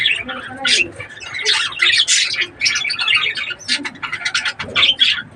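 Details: Breeding budgerigars chatter almost without pause: dense, scratchy warbles and short squawks run together, rising and falling in loudness through the whole stretch.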